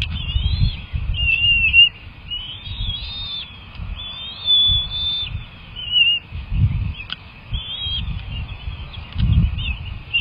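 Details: Wild bald eagle nestlings during a feeding, making quick, wavering high whistles, many short notes run close together, with gusty low rumble and occasional bumps in the background.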